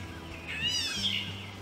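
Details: A Gray Catbird in woods in Delaware gives its distinctive slurred, nasal mewing call, rising then falling like a cat's meow, over a low steady hum and soft background music.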